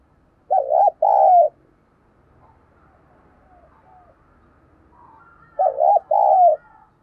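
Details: Lure spotted dove cooing in the thúc and gáy manner to attract wild birds: two identical loud double coos about five seconds apart, each a quavering note then a sustained one, with faint murmurs between.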